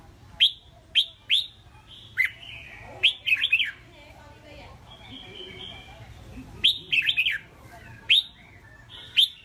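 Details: Caged red-whiskered bulbul, a keen fighting songbird with competition potential: clusters of sharp high notes and short warbled phrases come in two bursts, with a quieter pause between them.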